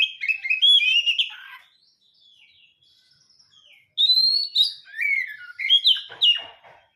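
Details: Captive home-kept Oriental magpie-robin singing: two bursts of loud, varied whistled phrases with rising and falling notes and sharp chips, separated by a quiet pause of about two seconds; clean recording with no other sounds.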